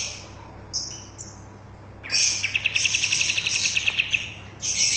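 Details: Bulbul in full lively song, recorded to tutor caged birds. Brief high notes, then a loud, dense phrase of rapid chirps and whistles lasting over two seconds.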